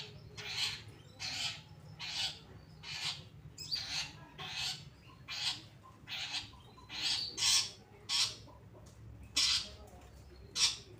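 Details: Long-tailed shrike of the Pastol type, singing actively on a recording used to train other cage birds: harsh, buzzy, broadband bursts repeated roughly every half second to second, steady and forceful, over a low background hum.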